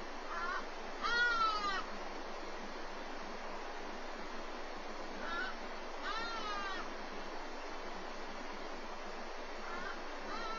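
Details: At a black eagle nest in Walter Sisulu Botanical Garden, filmed by webcam during the chick's morning feed: repeated nasal, down-slurred mewing cries in bursts roughly every five seconds, with softer notes between, over steady hiss.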